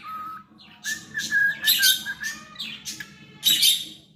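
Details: Cockatiel kept as a pet, singing a wavering whistled line that steps up and down, interrupted by several loud harsh chirps.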